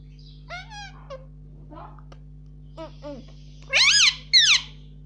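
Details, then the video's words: Pet Indian ringneck parakeet in a room saying "mummy", with softer wavering syllables and clicks building to two loud, rising-falling harmonic calls at the end, against a steady hum. "cute Indian ringneck parrot talking || no stop mummy bolne vala"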